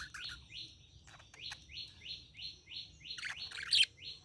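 A budgerigar repeats quick rising chirps, about three each second, with a brief scratchy warble near the end.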